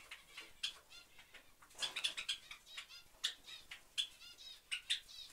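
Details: A Java sparrow family gives short, high chipping notes, with several bright tinkling calls scattered through and soft rustling and fluttering of wings.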